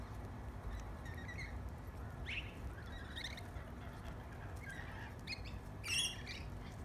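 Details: Tame lorikeets feeding on bread give scattered short, harsh chirps and screeches, ending in one louder grating squawk, over a steady low rumble of background noise.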